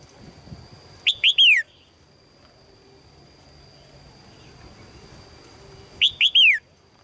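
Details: Female red-whiskered bulbul calling to attract a strong male: two bright phrases about five seconds apart, each of three or four quick, loud notes that slur downward. A faint steady high tone runs underneath.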